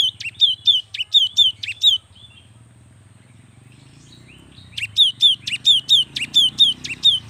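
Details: Young cinereous tit in full, vigorous song, used to coax lazy young tits into singing: loud whistled two-note phrases, a high note falling onto a lower one, repeated quickly in two bursts separated by a pause of about three seconds.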